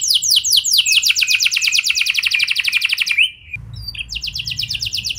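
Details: Canary lure song to make other canaries sing: a fast rolling trill for about three seconds ends in a slurred note, then, over a faint low hum, a lighter trill resumes.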